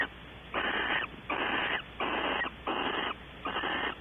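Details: Barn owl at a webcam nest box at Audubon Starr Ranch, California, in the evening, with mating and waiting at the box. Five broad, rasping hisses come in quick succession, each about half a second long with short gaps between them.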